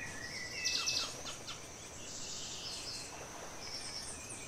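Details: A Velvet-purple Coronet (Boissonneaua jardini) near Mindo, Ecuador (Refugio Paz de las Aves, San Tadeo) gives a quick cluster of thin, very high chips, then fainter scattered notes over a steady hiss of forest insects.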